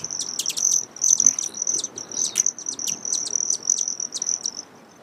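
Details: A broad-tailed hummingbird keeps up a steady, thin, high trill studded with quick sharp chips, fading out near the end.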